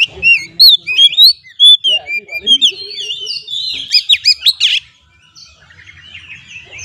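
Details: Oriental magpie-robin (kacer) lure song for stressed birds: looping whistles and clear chirps repeated in loud pulses, then a burst of sharp buzzy notes before fading to quiet.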